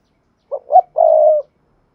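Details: Spotted dove urging coo for stirring decoy birds: a short low hoot, a slightly higher rising note, then one sustained even coo of about half a second, in clean silence.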